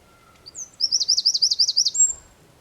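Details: Eurasian wren singing in the San Miguel de Daño neighbourhood of Zamudio on 4 December 2019: a few thin high whistled notes lead into a fast, loud trill of about eleven rhythmic pulses lasting just over a second.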